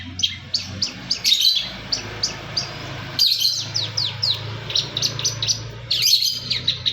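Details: Long-tailed shrike of East Java giving a full isian song of regularly spaced, sharp downslurred chips, with louder harsh bursts now and then, set against a steady rumbling background noise.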